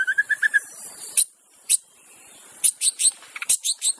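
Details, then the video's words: Wild white-rumped shama in song, used to prompt other shamas to sing: a quick row of low whistled pips, then scattered sharp high clicks and chips in bursts. "kicauan MURAI BATU di alam bebas Tanpa Isian||cocok untuk pancingan murai batu macet"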